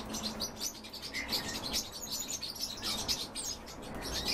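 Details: European bee-eaters feeding, a thick overlapping chorus of quick high chirps and rolling notes with hardly a gap, backed by constant hiss.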